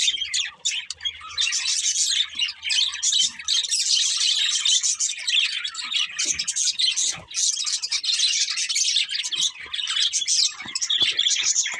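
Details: Pet budgerigars chirp and warble nonstop, a rapid jumble of thin, high notes and clicks from several birds at once, sustained for about twelve seconds.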